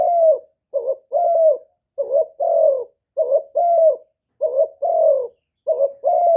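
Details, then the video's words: Decoy spotted dove giving 'one-ending' style coos to lure wild doves; rapid repeated pairs of mellow notes, a quick rising coo then a fuller falling one, nearly fifty phrases a minute with no other sounds. "TIẾNG CHIM CU GÁY 1 HẬU RÒNG BỔI CỰC GHÉT, CU GÁY KÍCH BỔI CỰC CHẤT, TIẾNG TIẾNG CHIM MỒI"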